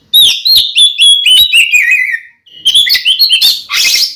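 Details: Oriental magpie-robin in full fighting song meant to anger a rival male: clear whistled notes sliding downward, quick chirps and a scratchy burst at the end, broken by a brief gap after two seconds.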